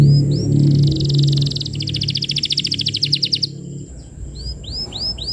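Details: Lively canary singing a lure song meant for training young canaries: whistled down-slurred notes, then fast buzzy rattling trills around 3–4 seconds, with a steady low hum underneath throughout.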